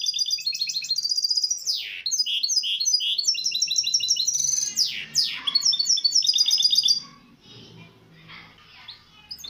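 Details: Misto hybrid singing on a tutor recording for teaching young birds. Fast, varied phrases of high chirps, repeated notes and buzzy trills, with a few sweeping slurs, run for about seven seconds. Quieter scattered notes follow.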